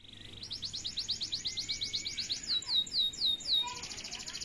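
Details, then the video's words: Male canary singing: a rapid rolling trill of short, high upswept notes runs for about two seconds, then gives way to a slower series of louder, downslurred whistled notes, with a faint low hum beneath. "تغريد فحل جزري ساده"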